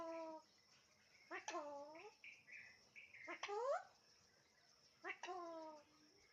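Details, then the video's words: Alexandrine parakeet talking: three loud, curving, harmonic phrases, each bending down then up, about two seconds apart. Quieter whistled notes fill the gaps. "Alexandrine parrot talking everything"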